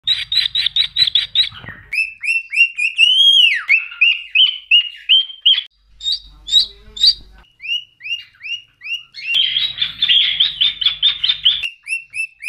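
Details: A pet cockatiel whistles a varied run of clear, bright notes, with rapid chirps and swooping slurred phrases.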